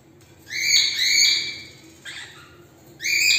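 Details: Cockatiel calls: drawn-out, slightly rising whistled screeches with rich harmonics, two long ones back to back, a fainter short one, then another starting at the end, over a quiet room background.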